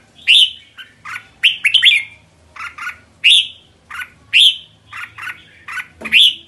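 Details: A red-whiskered bulbul calls kekek in loud, bright chirps that rise sharply, mixed with shorter clipped notes, coming in uneven bursts roughly every second, with a faint low rumble behind.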